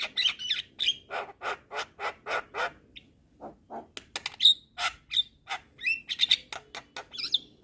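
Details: Javan myna (jalak kebo) gacor masteran song: an even series of harsh nasal squawks about three per second, a short lull, then bright piercing whistles mixed with chattering notes.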